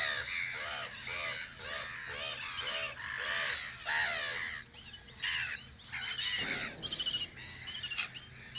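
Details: Spring recording of gulls guarding their post on Audru polder: a run of rapid, nasal, laughing notes repeated several times a second, then scattered squawks, with sharp high chirps of other birds mixed in.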